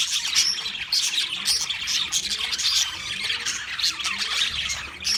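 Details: A flock of wild budgerigars chirps steadily. Overlapping high warbles and sharp squeaks form an unbroken chorus, with some brighter whistled notes standing out now and then.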